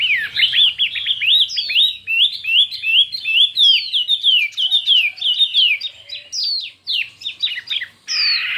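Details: Contest song of a Chinese hwamei, intense and many-voiced: a continuous stream of quick hooked and downslurred whistles, roughly one or two per second, ending in a harsh burst.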